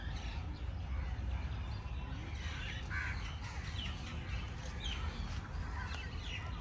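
A few harsh, scratchy crow caws come through at irregular intervals over a steady low rumble of wind or distant traffic.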